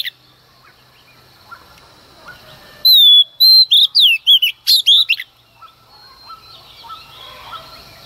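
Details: A female Oriental magpie-robin sings at dawn to provoke males. One loud phrase of about two seconds sits amid quiet: a descending whistle, then a rapid burst of sharp, twisting notes. Soft background sounds fill the rest.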